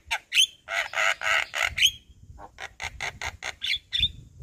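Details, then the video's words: Javan myna in daytime song in front of a house, delivering a full repertoire: harsh grating squawks in quick series interspersed with sharp whistled upslurred notes, then a run of short clipped buzzy notes. "Suara Burung Jalak Kebo GAcor Bongkar Isian Siang Hari Di Depan Rumah"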